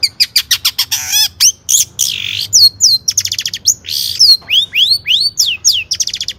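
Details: Long-tailed shrike singing a chatty, richly varied song, used as lure audio to prompt other birds. Rapid bursts of sharp whistles, harsh buzzy squawks, and rising slurred notes repeat about three times per second.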